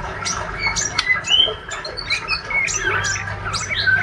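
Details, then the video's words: Spotted young male white-rumped shama, a healthy fighter type, twittering ngriwik: sharp clicks alternating with short whistled slurs, several rising, in a quick irregular sequence over a faint hum. "Murai trotol jantan rajin bunyi ngriwik"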